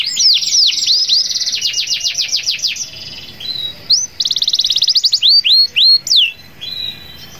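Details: A canary delivers long rolling song that challenges rivals: fast slurred notes and dense trills in bursts, a short pause, then another quick trill and several sweeping whistles before fading into quiet background.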